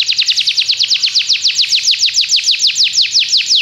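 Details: Belgian canary tutoring other canaries with a steady, rhythmic run of loud descending whistled notes, repeated evenly several times a second throughout.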